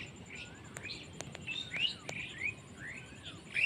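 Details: Village birds in Bangladesh giving scattered short rising and falling chirps and slurred whistles, with a few sharp clicks over constant low background noise.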